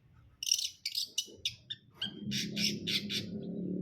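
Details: Brundol long-tailed shrike giving a quick series of harsh, noisy squawks. A short clear whistle leads into louder rasping bursts as a low droning noise rises beneath.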